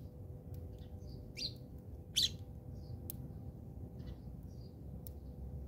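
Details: House sparrows fighting in South Africa: a handful of short, sharp chirps scattered across the stretch, the loudest a bright burst near the middle, set against a steady low hum.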